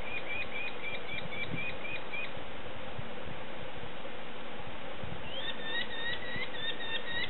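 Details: Young sparrowhawks begging while being fed: quick runs of short, sharp repeated notes for about two seconds, a gap filled only by steady hiss, then a fresh burst of the same rapid calls.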